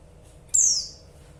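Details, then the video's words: A single high, thin chirp from a female white-eye, which calls to draw the male. The note drops quickly in pitch and tails off softly, with no other sounds around it. "Suara pleci betina Bikin Emosi"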